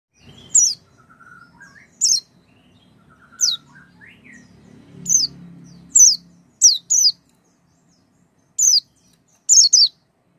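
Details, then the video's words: Oriental white-eye sound played to prompt a silent white-eye into singing. Sharp, thin, very high notes fall in pitch and come singly or in pairs every one to two seconds, with a few softer lower whistles early on and quiet pauses between. "pancingan pleci macet bunyi dengan suara ini"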